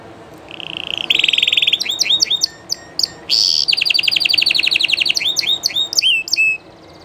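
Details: Spanish Llarguet canary singing live, a long varied phrase: a low rolling trill, then a run of crisp descending chips. A fast rattling tour comes next, and the phrase closes with gliding whistles.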